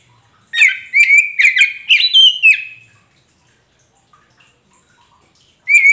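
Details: Magpie robin of the kacer poci type singing to coax a silent caged bird into replying. One rapid phrase of about six sharp, buzzy whistled notes, rising near the end, then silence and the start of another phrase.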